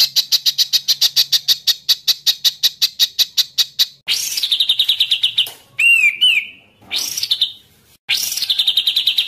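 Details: White-rumped shama (murai batu) training track of heated, nonstop singing: four seconds of rapid, even, high chattering notes, then long rising-and-falling whistles and a bubbling, slurred phrase.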